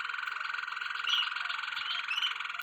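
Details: Waterslager canary singing a continuous, fast-pulsed rolling trill with a bubbling, water-like quality, steady throughout with brief brighter whistled accents.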